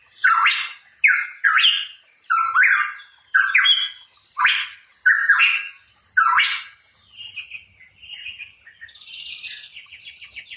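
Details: Hooded pitohui in lively song: a rapid run of eight harsh, rasping notes, each with a rising whistled start, then softer, fainter twittering phrases toward the end.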